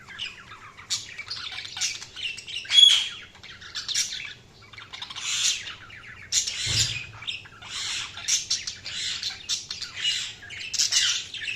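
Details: Budgerigars chirping, with rapid scratchy squawks and warbles repeated in bursts, one clear thin whistle early on and a soft thump midway.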